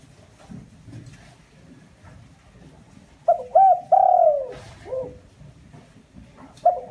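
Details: A single lure phrase from a spotted dove, used to provoke other doves: two short coos, a long falling hoot and a brief final note, rising out of soft background rustle. Another phrase just begins at the end.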